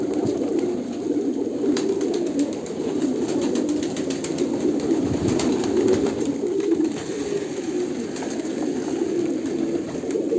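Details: Kolkata pigeons cooing together in a loft, a dense, continuous low murmur of overlapping coos with sharp clicks and taps from wings and feet scattered throughout.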